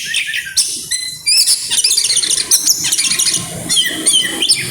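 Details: Grabakan singing from an oriental magpie-robin, delivering isian fill-in material: bright whistled slurs and quick clipped notes over a noticeable low mechanical hum, phrases tumbling together without clear breaks.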